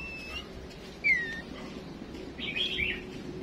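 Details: Female decoy songbird calling to provoke males to sing: a few separate thin whistles, one loud downslurred note, then a brief buzzy, twittering burst, against steady low background rumble.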